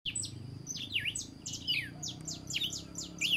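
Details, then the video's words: Red-cowled cardinal singing at dawn: a rapid series of sharp, sweeping whistled notes, many dipping down and rising again in V shapes, with a soft low rumble beneath. "O canto do galo-de-campina ao amanhecer"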